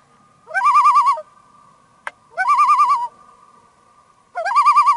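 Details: Wild Common Loon, a shy bird of large Canadian lakes, heard from a paddled boat on a remote forest lake: three rapid, wobbling, laugh-like tremolo phrases, each under a second, with a sharp click between them and a faint steady hum.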